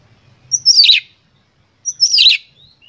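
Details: Oriental magpie-robin delivering an emotional lure song to provoke other birds, two loud harsh bursts, each opening with a sharp whistle and sweeping downward into a dense buzzy rattle, about one and a half seconds apart, ending with thin whistles.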